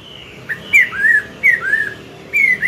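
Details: Morning song of a mature wild-caught Chinese hwamei used to coach a young bird: a few clear, drawn-out whistled notes, each dipping then rising, separated by brief gaps.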